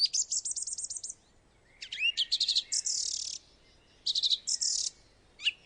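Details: A screeching gang of Common Swifts in Britain in spring gives shrill, buzzy screams in quick bursts: a rapid ticking series first, then harsh high screeches, two or three bursts over several seconds.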